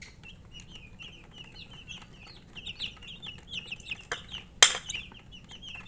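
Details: Thirsty baby chicks wanting water, a flock chirping in short high peeps that grow busier toward the end, with one sharp clatter partway through.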